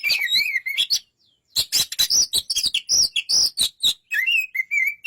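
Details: Rapid, varied song of a white-rumped shama, with clear rising and falling whistles, sharp chips and scratchy bursts packed closely together, broken by one brief silence.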